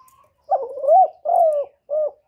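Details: Decoy spotted dove from Cà Mau, Vietnam, calling to draw in wild doves: a faint whistle, then a drawn-out wavering coo followed by two shorter hoarse coos, clean and close with a quiet background.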